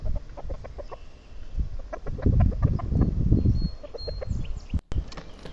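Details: Chickens walking beneath a backyard bird feeder, picking up fallen black soldier fly larvae, cluck and murmur in soft, low, irregular bursts, several birds overlapping, with a brief click near the end.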